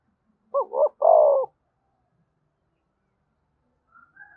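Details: Spotted dove coo to spur wild doves into cooing: one clear phrase of two quick, throaty notes followed by a longer, falling coo, then silence and a few faint distant notes.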